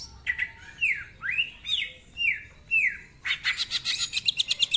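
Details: Greater green leafbird in lively ngentrok-style song, rich in mimicked fillers with a rough voice: a run of loud descending slurred whistles, then a rapid burst of sharp high chips, repeated about twice a second.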